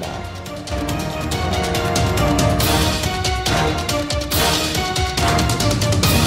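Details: Loud, driving music with heavy drums and bright, steady accompaniment fills the whole stretch, with no animal voice audible.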